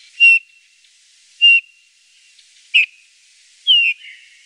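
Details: Eurasian bullfinch calling: soft, level, piping whistles, one roughly every second or so, the last slightly descending and longer, over faint background hiss.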